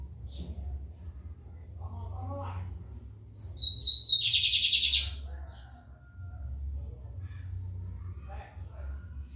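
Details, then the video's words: In São Luís, Brazil, a lined seedeater sings: a few soft chips, then a series of piercing whistles leading into a loud rasping buzzy trill, followed by faint scattered chips over a low background hum. "BIGODINHO AMERICANO / 15 MINUTOS SÓ DE CANTO"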